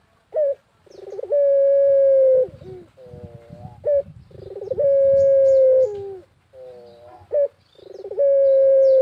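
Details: Barbary dove in rural Indonesia, a lure recording of vigorous cooing: a short rising note, a rapid pulsed roll, then a long steady coo ending in a falling tail, repeated about every three seconds. The background is quiet.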